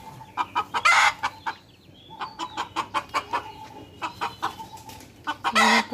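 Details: Aggressive farm rooster, shut in his house for fighting the other chickens and a francolin, calling a lot to be let out; rapid runs of short, clipped clucks broken by two louder, harsh squawking outbursts.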